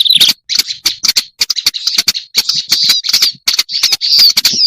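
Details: Black-browed reed warbler on a lure recording delivering short bursts of harsh, creaky chatter separated by brief gaps, with some squeaky upslurred notes and sharp clicks.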